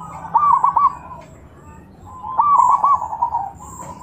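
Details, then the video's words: Zebra dove calling to stir rival doves into answering; two soft rolling coo phrases separated by a pause, somewhat faint against a quiet background hiss. "Suara perkutut Bikin EMOSI perkutut lain naik Suara Langsung Nyaut"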